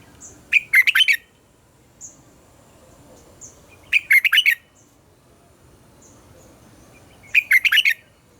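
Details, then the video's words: A red-whiskered bulbul sings its morning double-note song, played to train captive bulbuls. Three fast, warbled phrases of five or six notes repeat about every three and a half seconds, with faint high thin calls between. "Luyện giọng cho chào mào hót sáng - ép chào mào hót âm kép già rừng hay tuyệt!"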